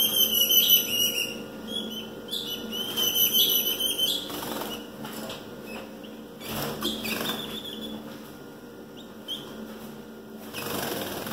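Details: A female ultramarine grosbeak soliciting mating gives rapid, high, thin chips and twitters, loudest in the first few seconds, with soft wing flutters and thumps between bursts.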